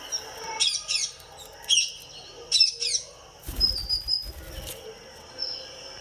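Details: A pet Indian ringneck parakeet indoors makes short paired raspy chirps, then a burst of wing flapping with rustling, followed by a faint high note.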